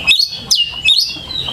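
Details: Oriental magpie-robin in a lure recording meant to train young birds to learn sounds, with loud slurred whistles swooping down then up, three bright phrases in under two seconds over a low hum.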